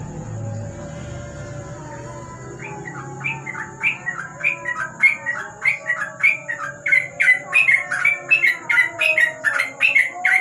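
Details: At night beneath a lamp, a sooty-headed bulbul (trucuk) starts after a quiet pause, then delivers an accelerating ropel burst of quick chirped whistles, growing louder and denser toward the end, with a constant faint high-pitched tone behind.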